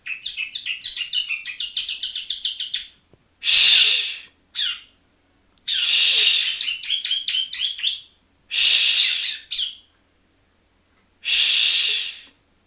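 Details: Young Yellow-bellied Prinia from Palembang still learning its song gives a fast stuttering string of high chirps, then alternates harsh buzzy bursts with short chirp runs, with gaps between phrases.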